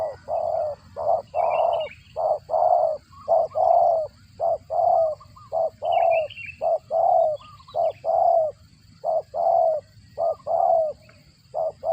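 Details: Spotted dove feeding young, its sound compared to a cricket: twelve seconds of evenly spaced low, hoarse coos of varied length, with brief high twitters from another bird in the background.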